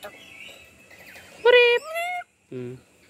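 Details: Tame young black-capped lory learning to talk as its keeper repeats a greeting; one loud, rising, harmonic utterance from the bird, followed by a lower human voice, with quiet room murmur beneath.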